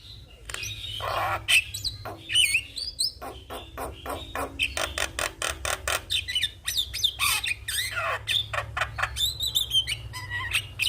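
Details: Vigorous head-nodding song of a Javan myna, meant for training and luring young mynas: dense stream of grating rasps, buzzy bars and sudden whistled slurs, nearly continuous, with low background hum.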